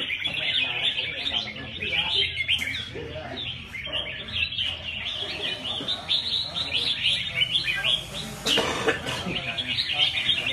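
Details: Red-whiskered bulbuls at a live bird-singing competition: many birds singing at once in dense, overlapping bright chirps and warbled phrases, with a man commenting in Vietnamese and background chatter underneath.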